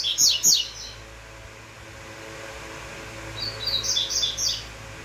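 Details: Double-collared seedeater gives a fast pair of bright chipping notes, pauses, then a quick series of repeated high whistled notes, with a steady low hum underneath.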